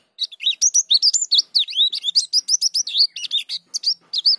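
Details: Dakun-type white-eye (pleci) in energetic ngerol rolling song with its varied isian phrases: a continuous, dense stream of high, quick twittering whistles, each note swooping up or down, barely pausing across four seconds.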